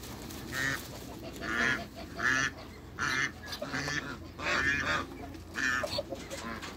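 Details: Backyard pair of African geese honking repeatedly, harsh nasal blasts coming about once a second in an uneven run, some overlapping as both birds call, over a low rumbling background.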